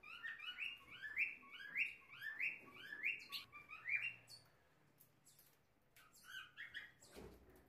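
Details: Ultramarine grosbeak (Cyanoloxia brissonii), one of a pair tending chicks, one of which has just left the nest, gives a quick run of bright, sliding chirps about every half second, a brief pause, then a few more, ending with a soft thump.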